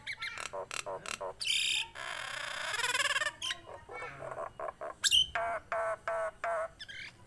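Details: Nias hill myna, tame and singing hard, delivering drawn-out nasal wheezes and grating screeches between quick staccato squawks, plus one sharp high whistle and a choppy chattering finish.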